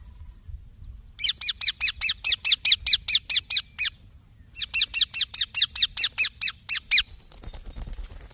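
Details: Green baby parrot chirping in two long runs of sharp, harsh high squeaks, evenly spaced at roughly two per second, with a short gap between runs and a brief rustling noise at the end.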